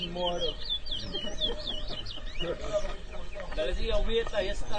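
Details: At a Guyanese bird whistling competition in Edinburgh Village in 2023, a chestnut-bellied seed finch gives fast looping high warbled whistles, with chatter from onlookers beneath.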